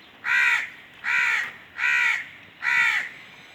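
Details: Crow calling with four loud, grating caws, each nearly half a second long, repeated at a slow, even pace of about one every three-quarters of a second against light background hiss.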